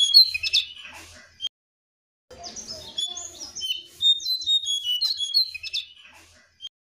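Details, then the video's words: Lure song of the jongkangan, played to make kept birds that have gone quiet start singing: bursts of sharp, high, scratchy chirps and slurred whistles, separated by a pause of about a second, with a faint low thumping underneath. "PANCINGAN JONGKANGAN AGAR BUNYI"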